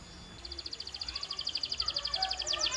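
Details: Faint, fast, evenly pulsed high trill from a canary, steadily growing louder against a noisy background.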